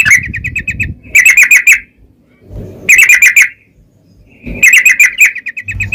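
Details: Yellow-vented bulbul in long rapid 'ropel panjang' singing style, used as a lure to provoke other bulbuls into singing: three bursts of fast, buzzy chattering notes repeated in quick runs, separated by short gaps, with low background rumble.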